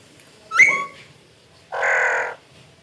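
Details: Parrot giving a short whistled note that drops then holds steady, followed after a pause by one harsh, buzzy squawk about half a second long; quiet background.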